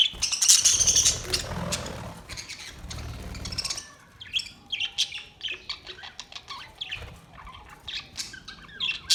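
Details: Budgerigars chattering after a burst of wing flapping, then rapid, scratchy chirps and squeaky warbled notes in irregular bursts, with short gaps between phrases.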